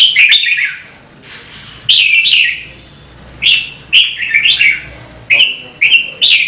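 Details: Red-whiskered bulbul singing, a bird kept to stimulate singing; short bursts of warbled, slurred whistles near the upper-middle range, separated by pauses of about a second, with faint background hum.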